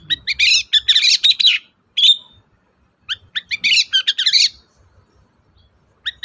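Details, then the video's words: Long-tailed shrike (cendet) in full song, used as a lure for a reluctant shrike: fast chattering phrases of varied twittering and scratchy notes, in two long bursts separated by a short silence. "BURUNG CENDET GACOR DOR, MEMANCING CENDET DIEM AUTO NYAUT GACOR"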